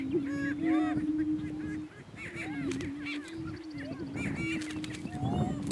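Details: Male Greater Prairie Chickens fight for dominance at a Kansas lek; a droning low boom carries throughout while excited rising cackles break out in clusters.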